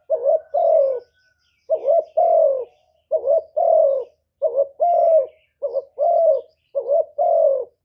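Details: Decoy spotted dove cooing in a contest against a wild dove: clear two-part coos, a short bent note and then a longer falling note, repeated steadily about every second in six phrases, with no other sounds.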